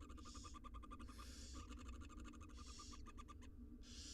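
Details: Wild barn owl nestlings, six of them, fed in a research nest box in Israel, give long rasping hisses between trains of fast clicks, with constant low-frequency hum beneath.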